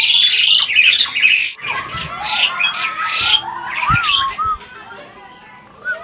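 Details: Asian pied starling, adult breeding bird, reportedly talking: loud, harsh high chatter for a few seconds, then softer wavering whistles sliding up and down, ending in quiet, sparse notes.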